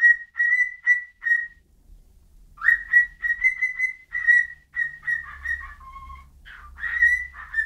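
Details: Whistling bird giving steady whistled notes, then a pause of about a second, followed by a longer run of level and slurred whistles with a brief lower tone; soft low thumps in the background.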